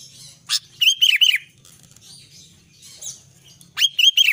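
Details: Albino sooty-headed bulbul singing actively: a sharp note, then a bright run of rolling whistled notes, quieter twittering, and another quick trio of clear whistles at the end.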